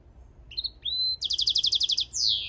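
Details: Goldfinch mule song opening with a soft chirp and a drawn-out rising whistle, then a loud rhythmic trill of repeated bright notes and a long descending buzzy sweep.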